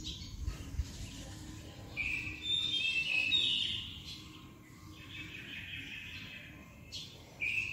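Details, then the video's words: White-rumped shama song played as a lure to make a shama agitated and singing: high whistled and warbled phrases from about two to three and a half seconds and again from four to seven seconds, over a steady low rumbling background. "PANCINGAN MURAI BATU AGAR EMOSI DAN BUNYI"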